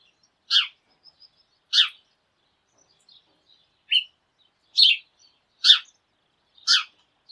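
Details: Sparrows calling together early in the day: loud, bright chirps spaced irregularly, about six in seven seconds, one lower and shorter than the rest.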